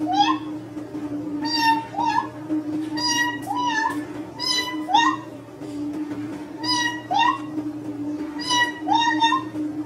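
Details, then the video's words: A pet Indian ringneck parakeet giving bright, bending whistles, often in quick pairs, about one each second, over a steady low indoor hum. "Ringneck parrot whistling"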